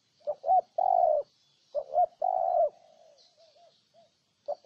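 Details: Spotted dove in Ninh Thuận, Vietnam, repeating its coo twice: short doubled notes followed by a long sustained low coo. Faint softer coos trail after, and another phrase begins at the end.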